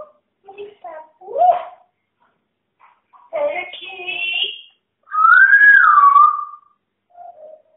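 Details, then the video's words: Female pet parrot calling her friend in a small room: a run of short speech-like syllables and chattering bursts, then a long rising-and-falling whistle and a soft final note. "BEST TALKING PARROT IN THE WORLD"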